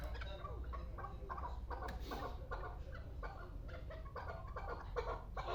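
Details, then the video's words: Two-year-old Pamir chukar partridge, kept for hunting, uttering rapid, uneven chuk notes several times a second, rough and clucking, with a low background hum. "Кабки Помир"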